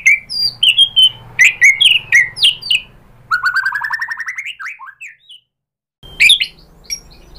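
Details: White-rumped shama used as a lure to provoke birdsong: crisp repeated whistled phrases, then a long rapid rising trill, a brief silence and a final burst of sharp notes.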